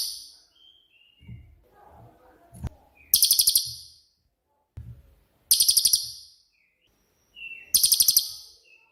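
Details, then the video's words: Repeated 'tembakan' bursts from a cililin, used to train songbirds: three shrill, very high trills of quick pulses, each about a second long, about every two seconds, with faint whistles and low knocks between. "BURUNG CILILIN COCOK UNTUK MASTERAN"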